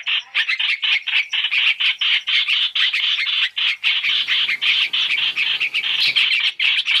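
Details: Harsh Chinese hwamei chatter from a lure mix used for trapping: rapid scratchy notes in steady series with short dips between groups.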